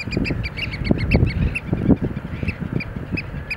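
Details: Eurasian oystercatchers displaying in a dance, giving loud, ringing piping calls in quick repeated series, with a few harsher notes mixed in and low rumbling noise beneath.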